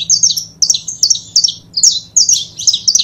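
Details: Pair of saffron finches, kept birds: short high chirped phrases in bursts about every half second, each a quick cluster of sharp descending notes, over a faint low hum.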